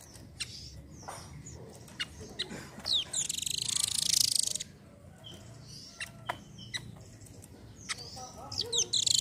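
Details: Velvet-fronted nuthatch song used as a prompt for other birds: shrill high trills and sharp chips amid a busy background of other faint bird notes.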